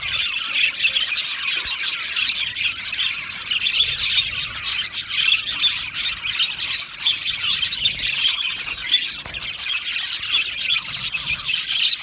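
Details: Flock of budgies in an aviary, lively high chirping and warbling from many birds, the chatter swelling and dipping slightly with occasional brighter squeaky notes.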